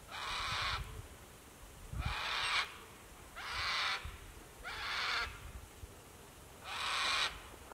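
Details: Sulphur-crested cockatoos calling at sunset near water at Lake Broadwater, Western Downs, Queensland, Australia: five harsh, raspy, broadband screeches, each under a second, spaced roughly one and a half seconds apart over a faint low rumble.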